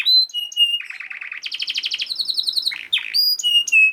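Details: Canary singing a dense training song for other canaries: clear whistled notes, a rolling low trill, a bright rapid rattle, then pure sustained whistles.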